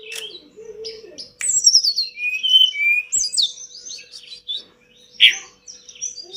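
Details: Tledekan gunung, the pied bush chat, singing vigorously in a training recording for pet birds. A low soft opening gives way to a rich run of descending whistles, sharp high slurs and a loud clipped note near the end.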